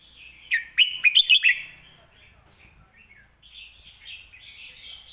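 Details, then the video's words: Clear, sharp master song of a red-whiskered bulbul for tutoring birds: a fast volley of five bright whistled notes, then a long stretch of quieter, rambling warbles. "คมชัดลึก"ดอกสวยๆ สำนวนแม่บท/ไว้สอนนก"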